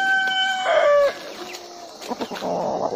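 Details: The tail of a rooster's crow, a level harmonic tone that dips and cuts off after one second, followed by soft clucking and rustling.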